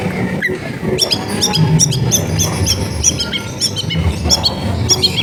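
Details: Long-tailed shrike singing at home in a crowded residential area; the song is meant as a lure to coax silent shrikes into song. Rapid clicking, chattering high notes in quick bursts over a constant low background rumble.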